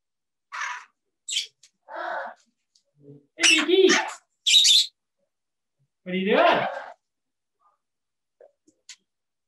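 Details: Two parrots at a safehouse, live, calling to each other in what seem to be English words; short separate bursts of harmonic chatter, a few rising tones and shrill squawks, with quiet gaps between them.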